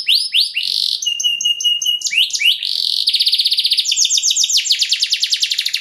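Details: Canary in long luxurious song meant to stimulate other canaries: bright whistled slurs and short buzzy notes, then rapid rattling trills repeated many times per second, changing tour about every second.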